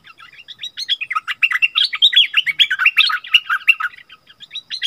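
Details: Wild striated bulbuls in a rare, fierce vocal dispute, 8 February 2021: a dense, unbroken stream of bright chattering notes, rapid slurred whistles and short trills, rising and falling quickly with no pauses.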